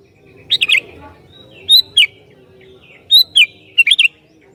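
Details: Sooty-headed bulbul, noted for provoking rival bulbuls, singing short liquid phrases of swooping whistles in pairs and triplets with roughly one-second pauses.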